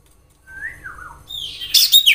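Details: Common iora in natural surroundings, song used as a lure to draw other ioras into singing: a clear whistled note rising and falling, then a high, sharp chattering burst of squeaky notes.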